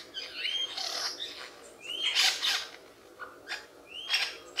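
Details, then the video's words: Superb lyrebird, an Australian forest mimic, producing rising whistled slurs between noisy rushing bursts, with a low hum in the background. "Lyre Bird ,Lyrebird Mimic sounds"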